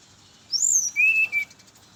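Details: Brown-chested jungle flycatcher heard in the morning, a lure for others of its kind: two clear whistled notes, the first high and gently falling, the second lower, level and drawn out, over a quiet background.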